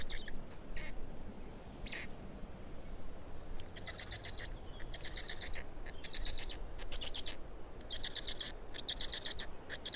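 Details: Black stork chicks in Estonia, 18 May 2019, fourth chick noted: after a quieter start, a run of loud, scratchy high-pitched squeaks comes in short repeated bursts, with low background rumble throughout.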